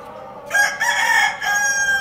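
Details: Rooster crowing: a loud, hoarse, drawn-out crow of about one and a half seconds, rising then holding with a rough, harmonic-rich tone before trailing off, over faint background noise.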